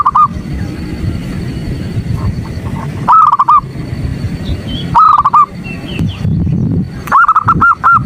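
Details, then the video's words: Female zebra dove calling the male: short clusters of three to five quick hooked notes at roughly two-second intervals, with steady low hum and faint clicks in between. "Terapi pagi PERKUTUT ‼️ Sekali BUNYI yang malas BUNYI jadi BUNYI."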